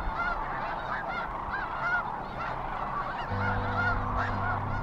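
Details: Hundreds of thousands of migrating Sandhill Cranes gather at the Platte River near Kearney, Nebraska, between mid-February and early April. Massed cranes give overlapping rolling, trumpeting calls in a dense, loud chorus, with a steady low hum rising under them partway through.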